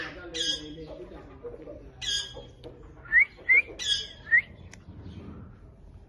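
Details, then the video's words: Ringneck parakeet chirping in clear separate bursts: harsh squawks around the first two seconds, then three quick rising whistled chirps close together near the middle, and another squawk, with quiet pauses between. "Ringneck parrot chirping sound"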